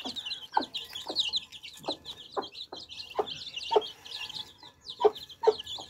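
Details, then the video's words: Baby chicks sipping fresh water chirp in quick, high, slurred peeps. Distinct pecking knocks come at intervals of about half a second. "Thirsty Chicks Quenching Thirst With Fresh Water Baby Chicks Relaxing Sound"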